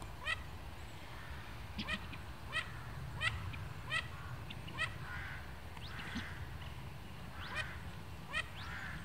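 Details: A group of mandarin ducks talking among themselves in Royal Łazienki Park, Warsaw, Poland, near the start of spring: frequent sharp, rising, whistle-like squeaks from several birds, often overlapping, against a low continuous rumble.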